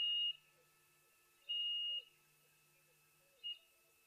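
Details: More than one Chinspot Batis at an African waterhole on 31 October 2023, one very close, giving pure, flat whistled notes on one pitch, spaced about every one to two seconds, over a quiet background.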